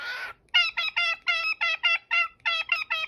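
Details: Cockatiel uttering a fast, even series of short harmonic chirps, about ten in three seconds, following one opening harsh, noisy screech.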